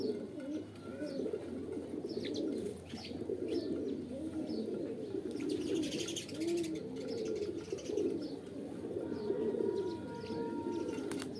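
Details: Long stretch of overlapping pigeon coos, throaty and bubbling, swelling and easing repeatedly. Small birds chirp intermittently, with a brief high whistle near the end.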